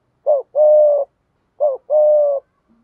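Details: Spotted dove lure coo in the 'thúc gù' urging style, meant to make wild doves call back. Two clean phrases: a brief dipping note followed by a long steady coo, repeated after a short pause.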